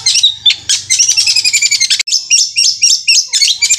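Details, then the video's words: Shrill, fast song of a long-tailed shrike in the 'roll speed' style, likened to a sewing machine: a buzzy rattling trill breaking into quick, high chattering notes repeated several times a second; faint hum. "Cendet Roll Speed suara kuntilanak Armageddon seperti mesin jahit gacor"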